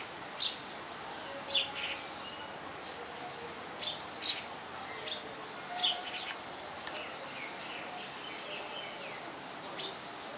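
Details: House sparrow chicks being fed by their mother at a nest on a roof give short, sharp, high chirps in scattered bursts, about a dozen in ten seconds, over a steady background hiss.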